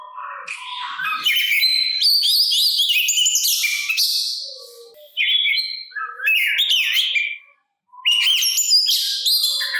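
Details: Oriental magpie-robin (kacer) song intended to trigger answering song from others and rouse aggression; long stretches of jumbled, squeaky and buzzy whistled notes separated by short silences, mostly high-pitched.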